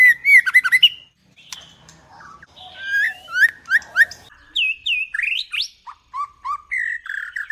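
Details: Female White-rumped shama in first plumage, 2021: a loud warbled phrase, soft notes, then a sequence of clear slurred whistles and rising notes repeated in quick succession.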